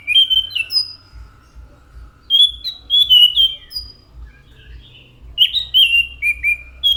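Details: Anis macan thrush pouring out repeated bursts of clear, slurred whistles, some rising and some falling, in three groups across the recording.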